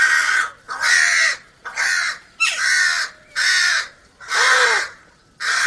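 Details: Crow calls meant to attract crows for food: a series of harsh, loud caws, six in under six seconds, each about half a second long with short gaps between.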